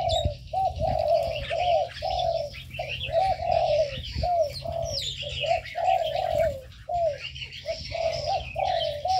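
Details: Aviary birds: a dense run of short, throaty coos, about a second each, repeating with brief gaps, over faint high twitters and chirps in the background.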